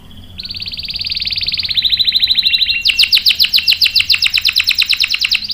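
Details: Canary song used as a lure and master to train young males and non-singing birds: a fine high trill holds steady for two seconds, then breaks into a louder, rapid series of sharp pulsed notes that carries on to the end.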